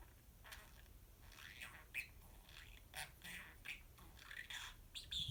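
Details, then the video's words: A pet budgerigar indoors, a bird that speaks many words, giving scratchy, squawky chatter and mumbled speech-like bursts with brief high chirps, fairly even in loudness throughout, against low room hum. "Larry the Parakeet says Poopy Bird"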